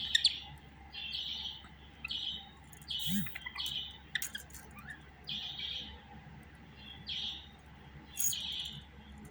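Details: Budgerigar giving short chirped notes around mid-high pitch, repeated in loose groups every second or so, with a few sharper clicks between them over a steady low background hum.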